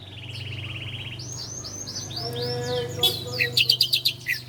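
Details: Bar-winged prinia, ciblek Koya, in a master recording used to train cage birds: a fast trilled buzz, then a run of rising upswept whistles, ending in sharp high chirps over a low steady hum.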